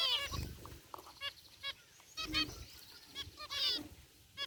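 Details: Zebra finches kept in an aviary, including a white one, produce sparse short nasal beeps and a few buzzy notes, separated by quieter gaps with soft low background noise.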